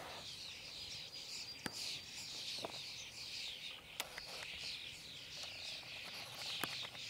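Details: Common starlings at Hauptmanca, Ljubljana Marsh, Slovenia, on 2 July 2023 keep up a dense, high, wavering chatter of squeaks and whistles without pause, broken by a few sharp clicks.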